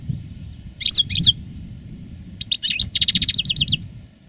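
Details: Caged veteran European goldfinch, a master singer recorded live after the moult, giving two sharp chirps, then a tinkling phrase ending in a fast even rattle of about ten notes; faint low hum behind.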